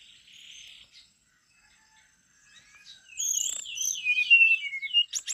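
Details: ['Brown-chested jungle flycatcher singing continuously. A soft buzzy note opens, then after a quiet gap comes a loud wavering whistled phrase that rises and falls before ending in sharp high chips.']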